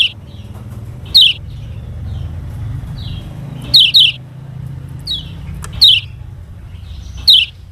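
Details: Lemon-bellied white-eye of Lombok, recorded as a model for other birds to copy: sharp, thin, downward-sweeping chirps, sometimes paired, spaced one to two seconds apart over a low hum.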